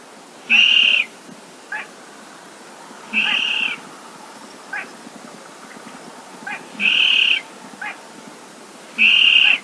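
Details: Baillon's crake 'gõ ghẻ' call, played for night netting: short high buzzy bursts repeated roughly every three seconds, each followed by soft ticking clicks, against steady background hiss.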